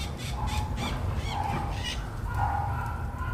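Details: Scaly-headed parrot giving a few grating, nasal squawks in quick succession, partly drowned by steady low-pitched background roar.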